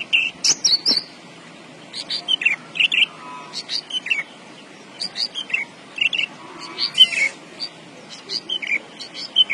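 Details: Javan bush lark in full, lively song: a rapid, varied stream of high chirps, trills and short buzzy phrases with brief gaps, continuing busily throughout against a soft background hiss.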